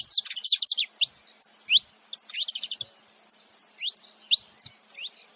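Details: A male and a female saffron finch calling together. A dense burst of high chirps opens, then spaced, bright downward-sweeping notes repeat roughly every half second.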